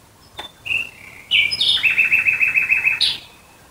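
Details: Nightingale in song near Dresden at night. A faint click and a thin whistle, then a loud rattling trill of about a dozen rapid pulses ending in a sharp upward note.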